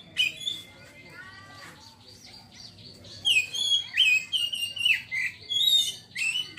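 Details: Oriental magpie-robin in its rapid ngeriwik chatter: high whistled and buzzy notes, sliding slurs and quick scratchy bursts run together after a quieter opening of thin descending whistles, delivered in a continuous excited stream.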